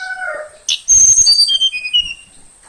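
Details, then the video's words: A young caged Tledekan Kalimantan, taken from forest about two weeks earlier, sings in the morning: lower wavering notes, then a bright cascade of high whistles descending step by step. "Kicau burung Tledekan Kalimantan pagi hari"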